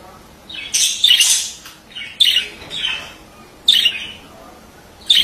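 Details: Male budgerigar producing rough, downward-sliding squawks, one longer drawn-out call followed by shorter grating notes spaced about a second apart.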